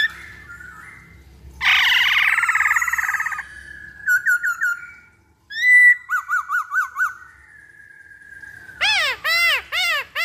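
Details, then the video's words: Black-throated laughingthrush song used as a lure: a loud harsh burst, a long steady whistle, quick whistled trills, then a series of strong repeated arching whistled notes near the end. "Pancingan Poksay Hongkong Paling Ampuh"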